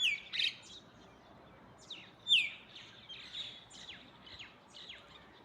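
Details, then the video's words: Morning chorus of mynas and other birds: a strong downward-sweeping whistled call opens, another at about two seconds, followed by a string of softer high chirps and slurs over steady noise. "Beautiful Morning Myna and other birds chirping sound"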